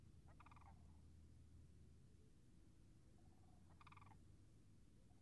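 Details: On March 26, 2019, beside a marsh whose puddles are still frozen, two distant, rolling, harmonic-rich Sandhill Crane calls come about three seconds apart, rising from a steady low rumble of wind.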